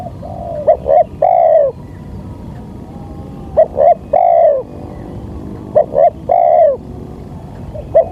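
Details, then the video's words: Luring call of a spotted dove: repeated three-part phrases, two short hoots then an extended, softly falling coo, roughly every two and a half seconds against low steady noise. "Pancingan suara tekukur"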